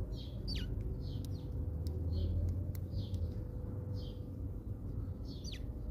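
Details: Feeder-visiting house sparrows in South Africa calling with scattered short chirps and a few rising notes, irregularly spaced over a steady low rumble.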